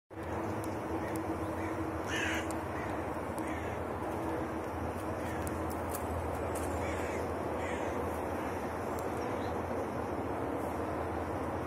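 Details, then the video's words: Alarmed crows calling: harsh, hoarse caws in short bursts, the loudest around the second second, over a constant heavy background rumble. "Вороны всполошились"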